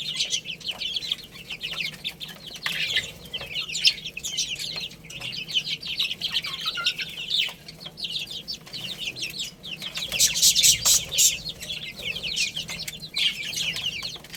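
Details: A busy group of baby chickens playing and eating fills the air with constant high, short, falling peeps, a burst of rapid pecking clicks near the end.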